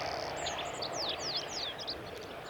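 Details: Olive-backed pipit singing on the Kirigamine Plateau on 15 July 2018: a short run of high, thin, sharply descending slurred notes over steady low background noise.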